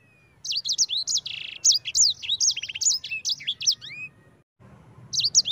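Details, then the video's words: Yellow-fronted Canary (sanger) singing a rolling ngerol phrase. Rapid high whistles are mixed with a buzzy burst and a short rattling trill, followed by a brief silence and then a new burst of song. "Suara Burung Sanger EDEL SANGER NGEROL"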